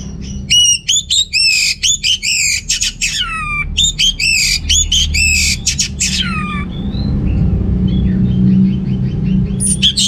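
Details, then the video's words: Orange-headed thrush song from North Bali, meant to prompt males lacking breeding drive: dense series of strong whistled notes with downward sweeps and harmonics for about six seconds, then fading to scattered faint notes over low hum. "ANIS MERAH Gacor Untuk Pancingan AM Jantan yang Kurang Birahi, Semua Burung Pasti Ikutan Bunyi"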